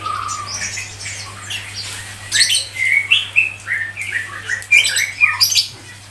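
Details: Grey-cheeked bulbul (cucak jenggot) in a tutor song for songbird keepers: scattered loud, sharp whistled notes and short chattering bursts with jumping pitch, irregularly spaced, above a quieter scratchy background and a faint steady hum.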